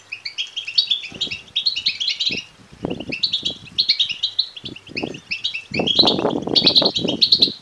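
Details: European goldfinch chicks begging, used to stimulate males to sing and mate; a dense chorus of high, rapid chirps and squeaky twitters in bursts, with soft low thumps and rustling beneath, louder toward the end.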